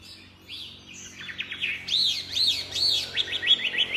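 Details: Chinese hwamei singing vigorously, delivering loud, clear, arching whistled notes in rapid series, some rising and falling like loops, others short and repeated, the phrases running together without pause.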